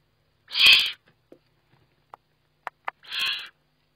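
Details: Eurasian eagle-owl on a nest webcam during feeding, 29 May 2011: two harsh, hissing bursts about half a second long, about three seconds apart, with faint clicks and taps between them.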